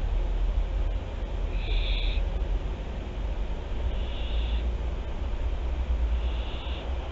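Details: Barn owls of Théding, France, recorded by webcam on 24 September 2021: three soft hoarse hisses spaced about two seconds apart, the first strongest, over a loud humming rumble.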